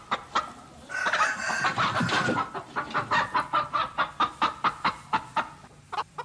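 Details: Domestic chickens: a noisy rustling squawk, then a steady train of short, clipped clucks repeated roughly every third of a second.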